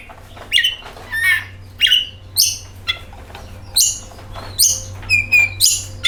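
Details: Oriental magpie-robin song used as a lure to set other birds singing: loud, varied phrases of sharp whistles and scratchy notes, bursts roughly every half second to a second, some rising or falling, a few sustained clear whistles, steady low hum beneath.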